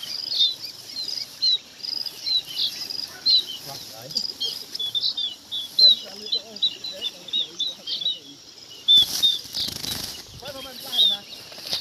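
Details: Flock-gathering calls of munias, a steady run of high, thin chirping notes in irregular bursts, with brief broadband crackling noise near the end.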